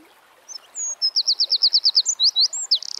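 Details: Wild Eurasian wren in full song, thin high whistles leading into a rapid, evenly spaced series of bright piercing notes, ending as a fast trill begins.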